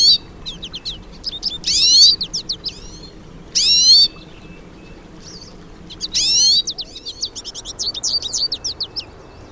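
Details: Wild hooded siskins, several together, sing in nature: bursts of fast high twittering broken by loud, drawn-out rising whistles about every two seconds, over a quiet background.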